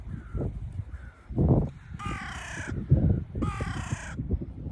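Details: A flock of crows meeting on Liepaja Beach by the Baltic Sea in Latvia. Two faint caws come first, then two long, loud, raspy caws close by, each lasting nearly a second, over wind and crunching footsteps.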